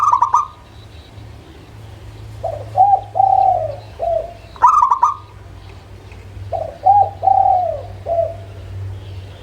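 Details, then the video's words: Local zebra dove song used as a lure to prompt lazy birds to sing: soft, low cooing notes in short spaced groups, with a brief stuttered higher call, over a low background hum. "SUARA Pancingan Burung Perkutut LOKAL - AjIb Buat Yang Malas Mangguung.."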